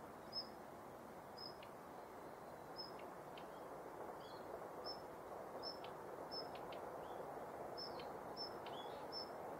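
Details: A female Daurian redstart active in the morning at Yanagishima Beach, Japan, 19 November 2021, gives thin, high whistled notes about twice a second, mixed with short dry ticking clicks, over a steady roar of surf or wind.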